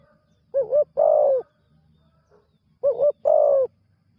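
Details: Spotted dove, a newly trained bird on its first training outing, cooing: two phrases, each a short double note followed by a longer drawn-out coo, separated by a pause of about two seconds, in an otherwise quiet setting.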